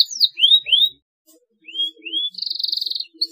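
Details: Canary song used to encourage young canaries to chirp: paired rising whistled slurs, a short silence, two more up-swept notes, then a brief dense buzzy trill and a final chip.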